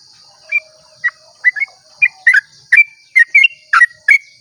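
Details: Sooty-headed bulbul singing a long dawn song, used as a lure to get other bulbuls singing: about a dozen short, bubbly, liquid whistled notes and doublets, roughly two per second, over a quiet background with a faint steady high hiss.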